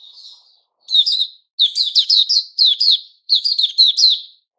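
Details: White-rumped shama, Puteh Raja type, 29 August 2021, with a soft opening note followed by four crisp bursts of rapid, high, slurred chirps, each burst separated by a brief silence.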